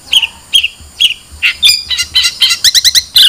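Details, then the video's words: Long-tailed shrike with a few separate downslurred notes, then a quickening chatter of rapid repeated notes toward the end. "Suara Burung Cendet"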